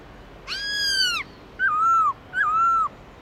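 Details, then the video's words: Black-throated laughingthrush giving wild-style song: a rich, harmonic whistled note sliding downward, then two wavering, slightly lower whistles with short pauses between them, over a quiet background hiss. "Khướu bạc má hót GIỌNG RỪNG CỰC HAY"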